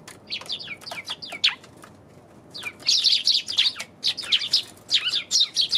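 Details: Sparrows chattering on January 27th, a rapid stream of high chirps in irregular clusters with a brief lull midway, over a soft low background hum.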